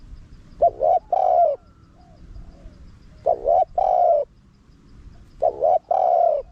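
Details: Spotted dove giving wild-style 'karom pa' calls with 'khat', 'nun' and 'ku ang' parts, meant to attract wild doves: three mellow phrases, a short two-part note then a long resonant coo, spaced by quiet gaps.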